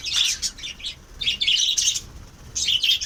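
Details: Pet lovebirds kept in captivity give bursts of shrill, high chirping chatter, about three clustered squeaky bouts in a few seconds with brief quieter gaps between them.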